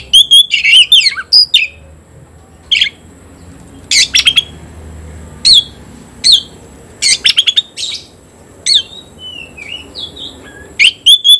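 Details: Oriental magpie-robin singing in competition with a rival: repeated loud bursts of sharp whistles and rasping notes separated by short pauses, with a few gliding whistles near the end.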